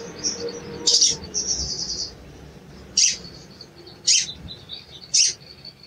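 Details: A sooty-headed bulbul's cuit cuit lure for a bird that has gone silent: one sharp chip followed by a buzzy, rapid trill, then three more shrill chips about a second apart.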